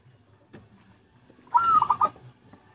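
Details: Zebra dove lure song: one brief rolling coo of quick pulsed notes, half a second long, over low background hum with a faint tap earlier.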